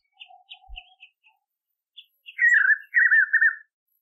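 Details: Spot-backed puffbird singing in the caatinga: a few soft whistled notes lead into two loud, rapidly wavering, trilled phrases lasting about a second each.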